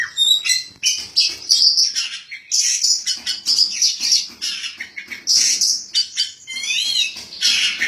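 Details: National-champion Kacer Poci, a caged white-breasted magpie-robin from the 2017 Bupati Cup contest, gives loud varied song: dense chirps, rattling trills and looping whistled notes near the end.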